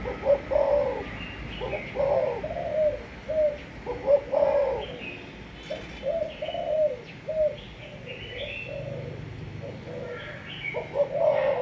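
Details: Spotted dove of Malaysian stock, kept as a lure bird, sings its sấm thổ coo: a long run of hollow, throaty coo phrases with short gaps, alongside light chirping from other small birds.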